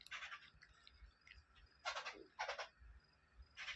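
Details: Arabian babbler chicks calling; harsh raspy hissing bursts, each about a third of a second long and repeated at uneven intervals, with faint softer calls in between and quiet low background noise.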